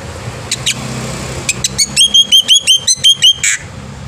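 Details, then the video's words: Morning song of an actively singing black-winged myna, used to tutor young birds: scattered chips build into an even series of about ten loud, clear whistled notes, with a low background rumble. "jalak putih gacor pagi hari"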